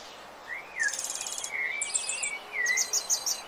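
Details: Breeding-season rufous-bellied thrush singing: long, gliding whistles that swoop up and down, interleaved with high, buzzy trills and a soft hiss behind.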